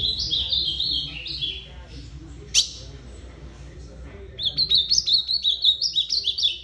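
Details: Ultramarine grosbeak singing two warbled phrases of sweet, clear notes that step downward in pitch, separated by a pause with a sharp click, the second phrase faster and more rapid-fire.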